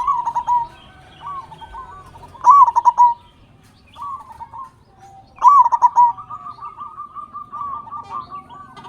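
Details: Zebra dove of local Indonesian stock singing strongly, a lure to prompt captive birds into song: loud bursts of quick, stuttering coos about every three seconds, with softer rolling coo phrases between them.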